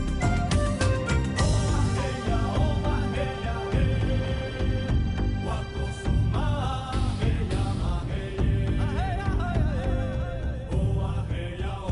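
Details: Full instrumental music with singing, heavy bass and melodic vocal lines, and no animal sounds.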